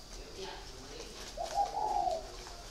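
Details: A single drawn-out, husky coo from a caged spotted dove, preceded by a faint, softer note, against quiet indoor background noise.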